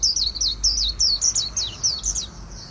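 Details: Oriental white-eye kept for voice training, giving a very fast competition-style warbling song in a magpie-robin-like voice: rapid high-pitched descending slurred notes, roughly nine short phrases in under three seconds, over a faint low hum.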